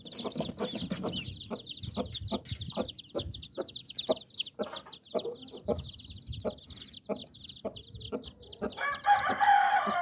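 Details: Brooding hen clucking to her nine chicks as they run beneath her wings for shelter and rest. Short low clucks repeat two or three times a second over steady high cheeping from the chicks. A noisy rustling burst closes the passage.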